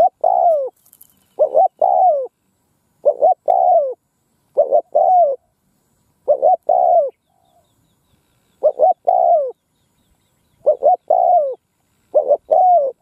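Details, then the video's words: Decoy spotted dove cooing in an open field to lure wild doves: about eight phrases in thirteen seconds, each two short hooting notes followed by a long, mellow, downward-sliding coo, with brief silent gaps between phrases. "Tiếng cu mồi đất gù gáy vang dội cánh đồng / Cu mồi đất gù phóng - Gáy chiêu Bổi giữa cánh đồng"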